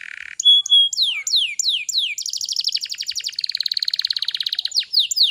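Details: Canary singing as a lure to trigger young untrained canaries to sing: a series of sharply downslurred whistles about twice a second gives way to a rapid rattling trill that settles into a steady, fast high roll.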